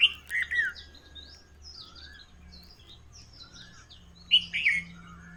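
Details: Several birds singing in the morning, with sharp high chirps and short whistled notes at the start and near the end, softer warbled phrases between, and a low steady hum underneath.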